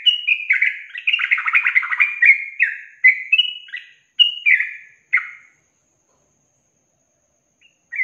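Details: Yellow-vented bulbul training song in the long-trill style: a dense, chattering run of bubbly chirps for about five seconds, then silence broken by one last short note.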